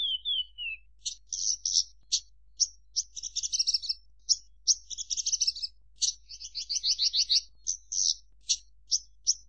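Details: Javan bush lark in full song: a few falling whistles open into dense, scratchy trills and sharp high chips, repeated rapidly with short pauses, including a fast rattling passage near the end.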